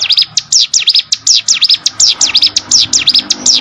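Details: Hill prinia song from a training recording for contest songbirds: continuous quick run of loud, shrill V-shaped chirps, about three per second.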